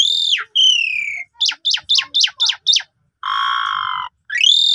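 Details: Varied Asian pied starling lure song for stimulating a sulking bird: an arched whistle, a falling pure note, seven quick descending chips about four per second, a long buzzy rasp and another arched whistle.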